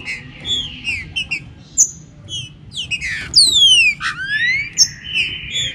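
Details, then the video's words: Warm-up song of a green-winged saltator, styled 'chuva com boi': loud slurred whistles that glide up and down, a burst of steep falling sweeps near the middle, then a long rising whistle, over low background hum. "ABRE CANTO DE TRINCA FERRO ESQUENTA CANTO CHUVA COM BOI"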